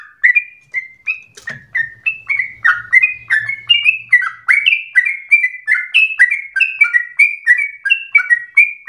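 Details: Sooty-headed bulbul singing nonstop in a rapid, fiery style, used to provoke other birds into song and as a tutor recording: quick chirpy two-note phrases, a bright upper note then a lower burry one, about three per second, with a faint low rumble early on.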